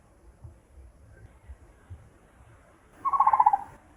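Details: A Brown-headed Barbet (Psilopogon zeylanicus) in Sri Lanka gives a call: a quick burst of about ten low, knocking notes, fast and even, after a few seconds of faint low rumble.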